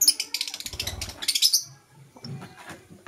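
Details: Rapid, scratchy high chattering from green and blue masked lovebirds in the morning, a fast string of shrill chirps for over a second, then quieter lower twittering and a final sharp note.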